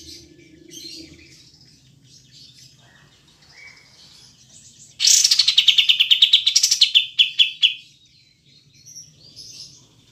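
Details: Kapas tembak (olive-winged bulbul) in a clear recording with long pauses: after faint high twitters, one strong rapid run of sharp notes descends in pitch over about three seconds and then stops.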